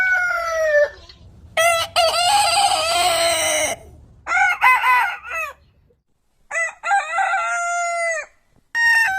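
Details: Multiple rooster crows in quick succession, some raspy and noisy, others clear and harmonic with falling endings. Brief silences separate them and a faint low rumble sits underneath.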